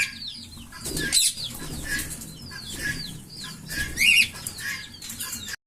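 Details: Green Fischer's lovebird pair chirping: soft downslurred twitters under a noisy background, with a couple of louder harsh squawks and one grating screech.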